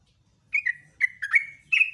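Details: Yellow-vented bulbul singing in the morning: a few liquid, bubbling notes in quick succession, the last phrase ending in a sustained, slightly rising whistle.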